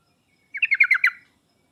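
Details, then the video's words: Sooty-headed bulbul recording used as a master to coax a reluctant singer: one quick stuttered burst of about six bright notes running together. "pancingan dan masteran trucuk paling cepat di sambar trucuk malas/susah bunyi langsung nyaut"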